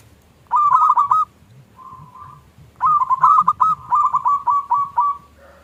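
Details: Local Indonesian zebra dove singing in the small KLUNG style, used as a lure to provoke silent doves into calling. Two bursts of rapid, ringing coos with a quieter murmured phrase between them, over a faint low hum.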